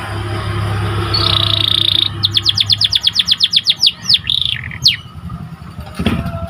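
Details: White canary training song: a steady buzzy roll, then a regular run of sharp descending chirps slowing into a few looping slurs, with low hum and a soft thump near the end.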